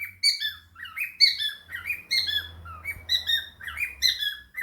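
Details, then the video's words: Chattering cockatiel indoors with budgies: clear chirpy bursts and squeaks over a persistent low droning hum in the room. "the cockatiel and fam: Chattering, singing and dancing"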